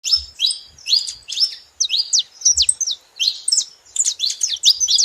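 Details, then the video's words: Saffron finch calling: bursts of sharp, high chirps and quick downward-slurred notes, grouped in short clusters with brief gaps between them, and a soft low thump now and then. "Canário da terra fazendo barulho"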